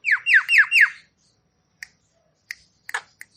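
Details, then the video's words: Javan myna song in lively full-repertoire style, used to stimulate stressed or quiet mynas: four quick descending squawky notes, followed by sparse dry clicks. "Suara Khas Jalak Kebo Gacor Full Isian"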